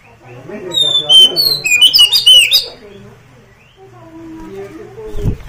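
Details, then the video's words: Oriental magpie-robin song meant to prompt another magpie-robin to answer and fan its tail: a brief run of loud, varied whistled notes, some sliding and some sharp, over low rumbling background noise that fades into murmurs. "awas!! kacer anda ikut nyaut gacor dan buka ekor"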